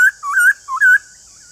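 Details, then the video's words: Rich warbling whistles from a white-cheeked laughingthrush: a sharp note, then two looping phrases that rise and roll over, followed by a soft trailing tone, against a steady hiss. "Nếu khướu bạc má nhà bạn đang bị yếu lửa không hót thì mở video này lên kích bổi vô cùng hiệu quả"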